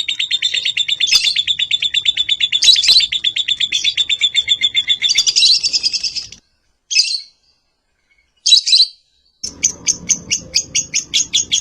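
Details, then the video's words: Lovebird morning song used as a lure and master: a long continuous rapid trill for about six seconds with sharper accents, then short chirps, then a fast pulsed chatter over faint background noise. "Terapi suara Masteran Love Bird Di pagi Hari"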